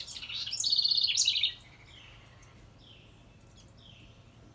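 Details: Wren near a birdhouse giving one rich, fast trilled song phrase, then a series of short, high, thin chip notes spaced irregularly against a quiet background.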